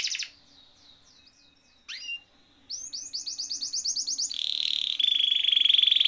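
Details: Canary song for coaxing a silent canary to sing: a quiet start of soft warbled notes and a falling slur, then a quickening run of rising chirps flowing into a loud, rapid, buzzy roll.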